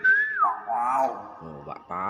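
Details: Common hill myna mimicking, a sharp falling whistle followed by buzzy, voice-like harmonic phrases resembling speech, in a quiet indoor setting with people nearby.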